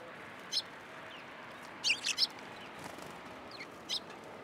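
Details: Crowd of sparrows gathering for food at a Tenmangu shrine on 10 January 2023; bright high chirps, a quick cluster of three near the middle, with scattered single notes and thin slurred calls around them.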